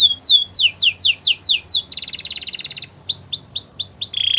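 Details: Singing canary for song training: a run of clear downward-sweeping whistles repeated about four per second, then a dense buzzy trill, then rising slurred notes, ending in a short low whistled trill; faint low hum beneath.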